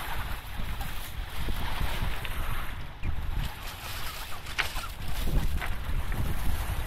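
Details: Low rumble of a boat on water with gusts of wind and splashing, and no animal calls.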